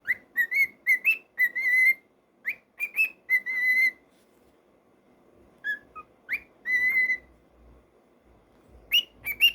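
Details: Pet cockatiel singing indoors: a run of short whistled notes, mostly level or slightly rising, in quick bursts, then a pause and more whistles including one longer steady note.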